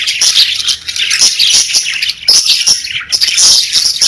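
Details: Group of pet budgies chattering, high squeaky whistles and buzzy warbles run together continuously, briefly dipping near the middle before the chatter resumes.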